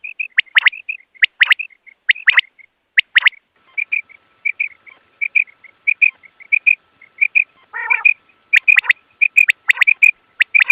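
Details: Common quail voice used to lure quail into traps. Fast streams of soft paired notes mix with sharp triple phrases in quick succession. A single harsh buzzy note falls near the end, with a faint steady tone beneath.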